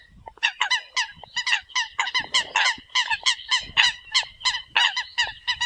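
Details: Eurasian coots calling to the flock, a dense run of rapid, loud honking notes repeated several times a second, voices overlapping almost without a break.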